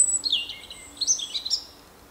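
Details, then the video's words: Short burst of European robin song, a rapid run of high, thin, varied notes and twittering slides with quick pitch changes, fading out at the end over quiet background noise. "Robin singing"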